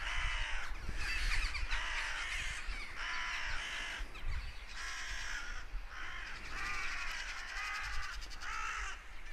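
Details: Several crows cawing in alarm, apparently after a goshawk had been hunting nearby. Harsh, hoarse caws come in overlapping bursts about once a second without pause. Steady low rumble of wind or outdoor noise underneath.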